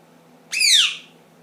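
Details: Pet ring-necked parakeet, ten months old, making funny noises indoors: a single loud, harsh, arched squawk that rises sharply, then slides down over about half a second, in a quiet room.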